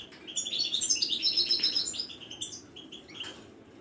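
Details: Caged Moroccan wiidani European goldfinch in a Casablanca bird market sings a dense, fast twittering warble of tinkling high notes, about four per second, fading into a few scattered chirps.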